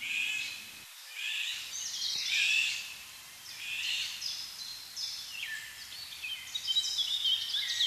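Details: Eurasian golden orioles, adults with three fledged young after breeding in Nieuwdonkbos woodland, Berlare, giving harsh, rasping, cat-like calls in a steady run of high, scratchy bursts, with a faint background hiss.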